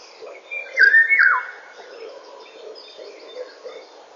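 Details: Eurasian golden oriole in morning song at 08:15, 19 May 2013. A single loud, clear whistled phrase holds level and then drops sharply, followed by quieter background chirps and a soft low murmur of other birds.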